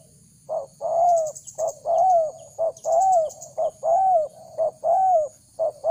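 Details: Spotted dove calling to attract wild doves, as used in decoy training: a regular pattern of one short coo followed by a long, gently arching coo, repeated about once a second, with brief high twittering from other birds.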